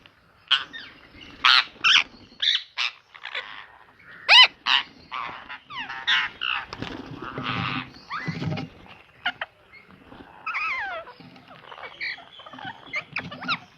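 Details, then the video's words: Ringneck parrot kept as a pet, giving a varied run of harsh squawks, clipped chattering notes and rising-falling whistled sounds in irregular bursts over about fourteen seconds. "Ringneck parrot"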